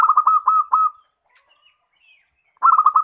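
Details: Local zebra dove lure song: a fast run of clipped coos at a steady pitch, silence, then another rapid burst begins.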